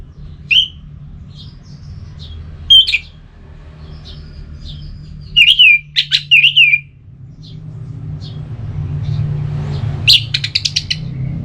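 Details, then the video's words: Orange-headed thrush ngeplong song meant to prompt a listless thrush to reply: scattered short whistled notes with sharp upward flicks, a louder cluster of slurred whistles midway, then a burst of rapid high notes at the end over low hum. "ANIS MERAH LOYO Bakal SONTAK NYAUT GACOR dan EMOSI dengar Kicauan Ngeplong ini"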